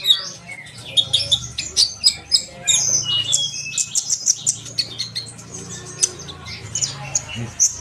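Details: Sunbird song offered as a model for young birds: rapid, high twittering with sharp chirps and short thin whistles in dense bursts, plus a faint low hum underneath.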